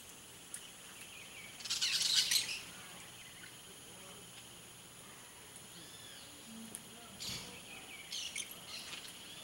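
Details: Blaze-winged parakeet (Pyrrhura devillei), a rare bird in Brazil found only in Mato Grosso do Sul, gives one loud, harsh, grating screech, then a few fainter raspy notes near the end over a steady high insect drone.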